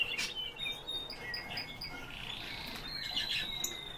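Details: Eurasian bullfinches recorded at roughly ten centimetres' distance give a run of short, clear whistled notes, some rising, some flat, shifting between lower and higher pitches against quiet background hiss.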